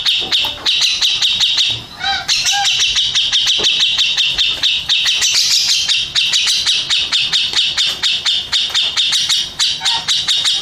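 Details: Contest champion grey-cheeked bulbul delivers a long, loud stream of high, quick-fire chattering notes, briefly dipping to a lower whistled phrase near the start, with constant crisp clicks behind.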